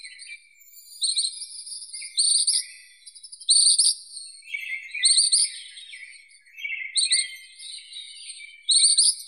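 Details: Ashy minivet singing in a busy, overlapping series of high, rattling metallic trills, some long and rolling, others short bursts, with lower buzzy trills woven between them.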